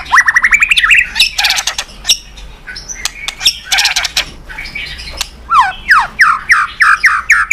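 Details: White-rumped shama singing on a training recording meant to set other birds singing. Rapid harsh chattering bursts and buzzy notes come first, then a run of loud slurred whistles, each dropping in pitch.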